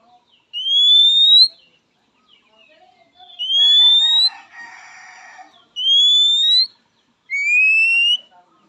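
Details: Oriental magpie-robin giving its typical call to a rival, said to draw quick responses from males and females; four long, pure whistles, each rising gently and lasting about a second, with a soft chattering burst between the second and third.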